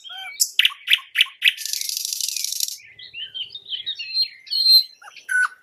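A nightingale sings: four loud, sharp repeated notes, then a dry churring rattle, then a run of varied high whistles and twitters. No other sounds stand out.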